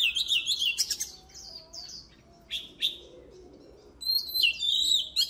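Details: Oriental magpie-robin singing for voice training. Warbled whistled phrases are broken by sharp clicks, a quiet stretch follows, and the song returns with loud, varied whistles.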